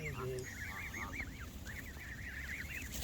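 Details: A flock of Canada geese by a lake honks almost without pause, a rapid chain of bouncing, arched nasal notes from several birds overlapping, with a brief lower call near the start and steady low background noise.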